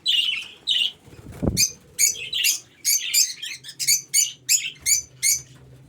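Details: Budgerigars kept in an aviary: a run of sharp, scratchy chirps repeated roughly every half second, with a brief flutter of wings and a low hum behind.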